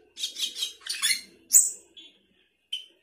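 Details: Sooty-headed bulbul in 'gacor isian' style: two rough chattering phrases, a loud shrill upslurred whistle, then brief soft buzzy notes separated by pauses.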